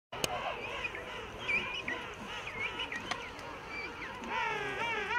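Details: King penguins in a huge breeding rookery on Salisbury Plain: many birds give overlapping wavering, trumpet-like calls with stacked harmonics, some rising and falling, plus a few sharp clicks and a steady background hum of the colony.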